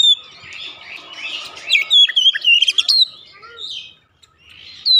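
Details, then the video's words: Home-kept Oriental magpie-robin in full song, a rich run of varied whistles and warbles with quick slurred up-and-down notes, then a short pause and another clear whistled note at the end. "terapi cepat mengatasi Kacer rumahan susah bunyi lekas gacor"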